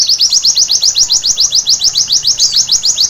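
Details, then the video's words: A white-eye sings at night in a steady, rhythmic pulse of high, sharp chirping notes, roughly three or four per second, evenly spaced across the whole passage. "Terapi Pleci Malam Hari Bikin Gacor seketika!!!"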